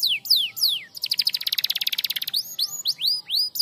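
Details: Canary singing to help silent canaries resume song: several long falling whistles, a quick pulsing trill of about twenty notes, then spaced rising upslurs and falling slurs.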